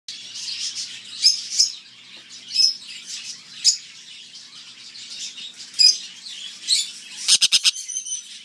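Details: Captive White-winged parakeets (Brotogeris versicolurus) at a pet shop in Livonia, Michigan: shrill, high chirps and squeaky notes, with a burst of rapid harsh clicks near the end.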